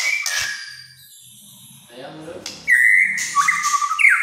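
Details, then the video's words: Human voices at first, then a white-rumped shama bursts into kretekan-style song, loud whistled notes and quick rattling trills, in a style said to make other shamas agitated. "KRETEKAN MURAI BATU GACOR. BIKIN MURAI LAIN EMOSI.."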